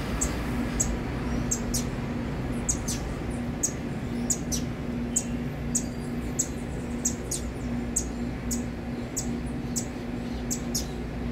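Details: Saffron finch chicks: very high, thin, short chirps repeated quickly, about two to three each second, over a steady low hum and background noise.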